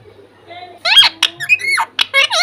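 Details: Pet talking parrot kept indoors, producing a quick run of harmonic, speech-like syllables with sliding pitch, loud and clear against a quiet room.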